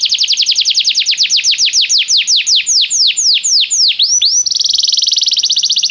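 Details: Canary song aimed at getting a canary to sing: loud descending whistled sweeps, slowing gradually over four seconds, then switching into a fast buzzy high trill.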